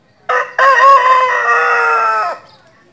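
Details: Rooster crowing, a short opening note followed by one long, strained crow that holds steady and ends abruptly after about two seconds, in an otherwise quiet setting.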